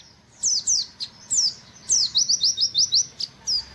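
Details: White-eye singing: a burst of high, thin, downslurred whistled notes, then a fast run of six repeated sharp 'wit' notes in an even line, with a few more bright chirps after.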